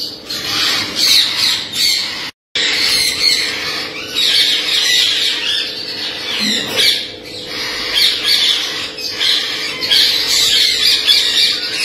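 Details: Blue-headed rainbow lorikeet parrot: dense, shrill, harsh screeches overlap almost without pause, rising and falling in loudness, with a brief silent break near the start and a faint steady low hum underneath.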